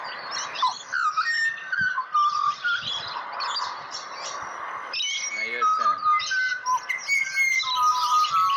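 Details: Pied butcherbird, serenading a person in Australia, pours out a run of flute-like whistles that step downward and repeat in quick phrases, over constant bright chirping from other birds and some talking.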